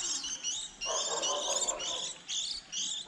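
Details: Fledgling white-eyes at the start of the season, a recording for trapping: rapid high squeaky chirps from several young birds overlapping, in bursts broken by brief gaps, with a lower soft chatter in the middle.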